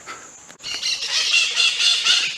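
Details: A maritaca (green parakeet) flying past outdoors makes noise all around: harsh, scratchy squawks run together in a rapid, continuous chatter after a brief quiet start, loud and high-pitched throughout.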